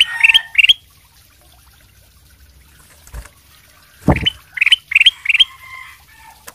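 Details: Golden silky kutilang, a Sooty-headed bulbul in full song to draw replies from other birds; loud, bright bubbling whistled phrases in pairs, then after a pause a run of four similar phrases, with a couple of dull knocks.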